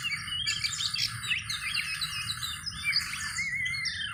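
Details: Oriental magpie-robin undergoing a mental test, delivering a dense, rapid jumble of high chirps, trills and short whistles, ending in a drawn-out rising whistle, over a steady low hum.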